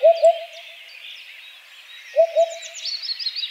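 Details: Two short hoopoe phrases, each a pair of deep, hollow hoots about two seconds apart, against a steady chatter of higher songbird calls.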